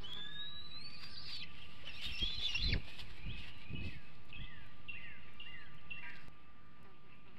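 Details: Young bald eagle in its Hanover nest, 2021, showing food aggression days before fledging: a burst of high, thin, descending chirps and squeals, loudest mid-clip, with soft thumps and a steady faint background hum.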